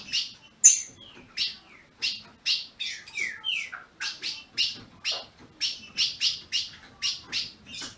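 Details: Caged ultramarine grosbeak from a licensed Brazilian breeder gives a long series of sharp chips at an uneven pace. A few longer, descending slurred notes are mixed in near the middle.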